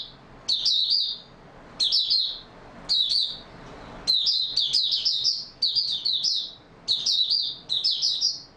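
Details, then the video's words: Singing Oriental white-eye, stable open song form, dated 28 February 2022; sharp high twittering phrases start abruptly, roughly one burst per second, with warbled, fast-modulated notes and quiet breaks between. "Mata Puteh Raja Video 1 buka sing stable form"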